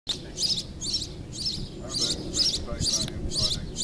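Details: Sparrow on a roof in Mas Nou, Catalonia, giving bright, high, scratchy chirps repeated about twice a second, with low background rumble.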